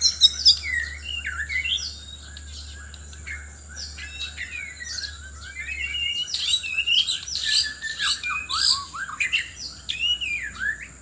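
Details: Loud White-rumped shama song from Sabah, Borneo, part of a mate-seeking singing contest: sparse clear whistles at first, then increasingly busy cascades of rapid, sweeping high notes, with a constant faint high hum and low rumble.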